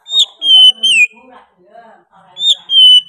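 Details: Oriental magpie-robin singing persistently: loud clear whistles that slide downward, then a quiet gap with faint low murmuring, followed by another long, bright whistle.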